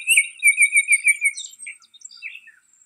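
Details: A Baltimore oriole at Riverwood calls: a quick run of six or seven harsh, chattering notes in just over a second, then a few scattered softer notes.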